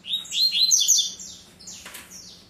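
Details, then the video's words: Double-collared Seedeater from a breeder's aviary, tui tui or zel zel song type: a fast, bright jumble of high chirps and trills, followed by a brief rasping sound and a couple of thin whistled notes. "COLEIRA TUI TUI ZEL ZEL"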